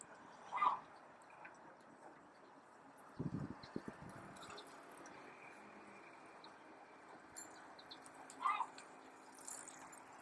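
A Vega gull gives two short, mid-pitched calls about eight seconds apart, with low thumps of wind or handling between them and faint high chirps.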